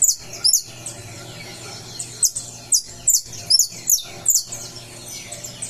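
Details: On 20 July a saffron finch coming out of moult delivers separate sharp, high-pitched chips, spaced irregularly and sometimes paired, with quieter twitter between them and a low background hum.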